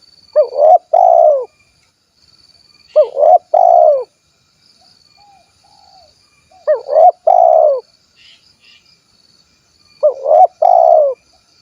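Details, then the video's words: Repeated spotted dove calling, kuk 1 type, Cilacap, Central Java: four mellow two-part coo phrases spaced roughly three to four seconds apart, with faint chirps and a high thin whine in the quiet gaps. "SUARA BURUNG TEKUKUR / DERKUKU KUK 1 GACOR"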